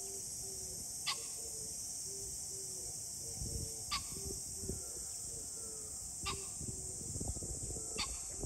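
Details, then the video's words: Four abrupt, harsh pheasant calls spaced roughly every two to three seconds, heard on 21 July 2024. A soft repeated tonal note from another bird and constant low-frequency rumble run through the background. "pheasant call ,キジ ,꿩"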